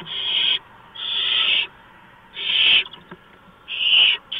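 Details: Mouse delivery at a barn owl nest, 4:26 AM on 6 March 2015; four harsh, breathy screeches, the second longest, spaced about a second apart with soft clicks in between.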